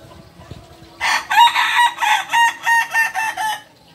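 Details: Kukuak Balenggek chicken from Solok, West Sumatra, giving a long crow: a loud opening note followed by about ten short, evenly spaced syllables, roughly three per second, lasting nearly three seconds against a quiet background.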